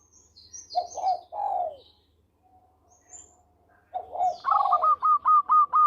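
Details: Local zebra dove in lively song, used as a lure: soft paired coos, a pause, then a rolling coo leading into seven or eight rapid, evenly spaced hooked notes, with high bird chirps overhead.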